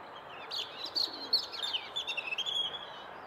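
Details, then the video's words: A robin singing beside a leaf yard, too busy singing to flee the camera, gives a high, thin, warbling phrase of quick varied notes that rise and fall, over a faint background hiss. "Robin singing"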